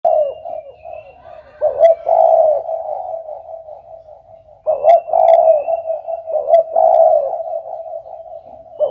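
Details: Spotted dove cooing: two loud, low, hoarse coo phrases around two and five seconds, each a rolling burst with a wavering note, over a steady soft humming coo in the background.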